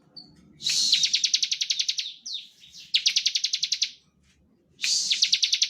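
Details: Bar-winged prinia in standard ngebren-style song, used to lure and provoke other prinias into singing: three bursts of rapid, buzzy repeated notes about a second long, with a softer slurred phrase between and brief silences.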